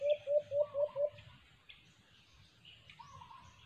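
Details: White-eared brown dove (alimokon) near a cage trap: five rapid, evenly spaced low coos in about a second, then fading to faint high chirps from other birds and background noise.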